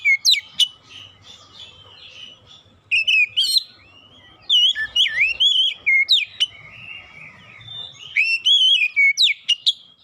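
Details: Oriental magpie-robin singing a lure song meant to spur untrained birds to sing. Bursts of loud whistles, sharp upslurred notes and twisting warbles come in clusters separated by brief softer gaps.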